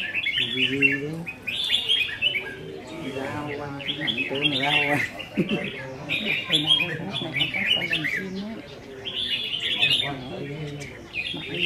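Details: Red-whiskered bulbuls at a competitive singing practice session on 15 May 2021 sing bright, bubbly, warbled phrases of a second or so, repeated every few seconds, with men talking underneath.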